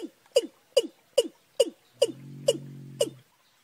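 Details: Young and wild watercock calls mixed together, March: steady series of clipped, falling knocks roughly every 0.4 seconds, with a low humming drone underneath for about a second near the end.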